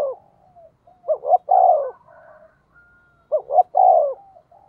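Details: Spotted dove of the local "giọng thổ" voice type, used as a lure to provoke wild birds: two phrases of a short double coo followed by a long, slightly falling coo, with soft trailing coos between.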